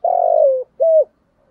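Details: Decoy spotted dove, voice style thổ. A single long level coo fading slightly downward, then one shorter arched note.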